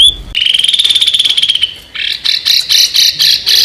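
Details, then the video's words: Small songbird in an Indonesian training recording for contest birds, harsh 'tembakan kasar' style: a fast buzzy trill held at a steady mid-high pitch, then a series of short, rough, repeated bursts about four per second. "SUARA BURUNG KECIL TEMBAKAN KASAR"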